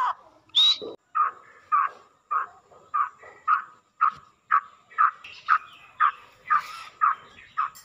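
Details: Black francolin (kala teetar) calling, a sound used to excite the bird and set it calling; harsh, squawking mid-pitched notes repeated steadily about twice a second, with a brief high whistled note near the start.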